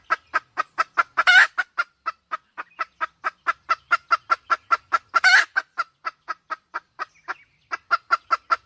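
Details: Red junglefowl hen calling with a steady series of short, clipped clucks, about three per second, broken twice by a louder, harsher rasping burst; quiet background.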